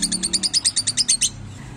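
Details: Lovebird in Lagos de Moreno, Jalisco, Mexico, giving a quick run of about twelve shrill, high chirps in just over a second, with a low hum underneath.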